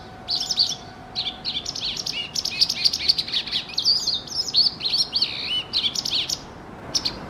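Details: White Wagtail territory in November, busy with young birds before winter: loud, continuous high twittering, rapid chirps and short slurred notes tumbling over one another for several seconds, with a faint low hum behind.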